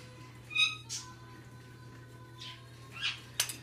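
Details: Pet macaw, which only does it when the owner comes around, says a short, tonal, speech-like "hello", then several brief, raspy squawks about half a second apart, over a steady low electrical hum.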